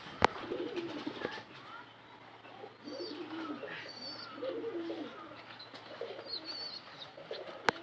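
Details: Native Bangladeshi pigeon cooing: low, wavering, bubbling coos drift in and out over steady background noise, with a few sharp clicks at the start and end and faint higher chirps from other birds.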